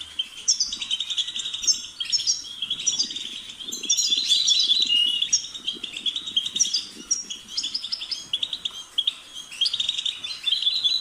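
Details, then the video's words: European goldfinch twittering: a dense, continuous, jangling stream of high chirps, buzzy trills and tinkling notes that overlap heavily, with soft crackling noise underneath. "The sound of the goldfinch's chirping"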